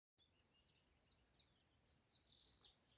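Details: Birds chirping in a natural green setting: a steady stream of quick, high, thin chirps and short twittering trills overlap one another throughout. Several calls come at once, with no other clear sounds.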